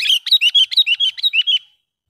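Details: Sooty-headed bulbul giving a loud, sharp lure call meant to attract wild bulbuls: a rapid string of about twelve ringing, slurred chirps packed into under two seconds, fading out at the end.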